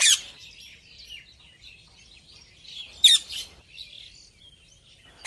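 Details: Ringneck parrot giving short, harsh squawk bursts at the start, around the middle and at the very end, with scratchy, low-level chattering filling the gaps.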